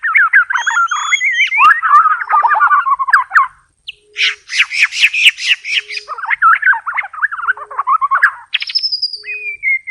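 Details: White-rumped shama in full varied song, fast warbled whistled phrases, a brief pause, then dense buzzy chattering and more rapid warbling ending in high thin whistles.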